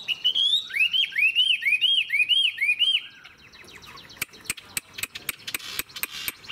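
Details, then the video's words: An adult hwamei caught in the wild, a fig-leaf-tailed bird kept for its sustained, pleasing song. Bright rising-and-falling whistles repeat about five times, then give way to sharp clicks and short chips. "Họa mi già rừng hót hay - Đuôi lá vả - Trường chim"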